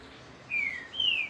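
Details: Papa-capim (Double-collared Seedeater) of the grego style from Minas Gerais giving two clear, high whistled notes, each sliding downward, the second higher, over soft background hiss.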